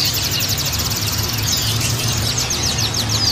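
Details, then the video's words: Twittering of Oriental white-eyes, used as therapy for caged males in communal cages: fast, high, strongly repeated notes in overlapping streaks, with a rumbling low hum beneath. "TERAPI PLECI BAHAN PALING AMPUH"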